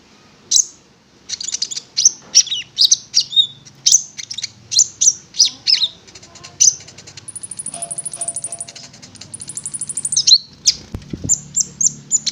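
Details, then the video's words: Konin, a prinia, singing a long series of loud chirped phrases roughly twice a second, moving into a thin high trill and rapid rattling toward the end. "Pancingan Konin Agar Bunyi"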